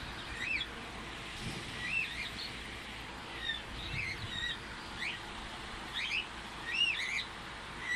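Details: A pet cockatiel flying free gives short, arched chirping whistles, repeated every second or so over a steady hiss.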